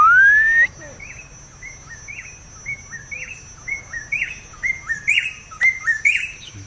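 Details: Dark-backed Weaver, one of a nesting pair in a tree in Kakamega Forest, western Kenya, making a loud territorial call, possibly while feeding its young: a long rising whistle, then quick short liquid upslurred whistles climbing higher, over a steady high whine.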